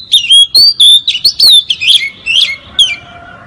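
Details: Oriental magpie-robin song used as a trapping lure in Southeast Asia. Clear whistled phrases, some falling and some warbled, come in quick succession with short gaps, then fade into softer notes.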